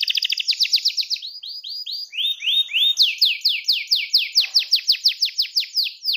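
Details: Gacor canary pouring out rolling song meant to set other canaries singing: rapid series of clear down-slurred whistled notes, switching between several repeated phrase types, each repeated three to five times a second, bright and loud.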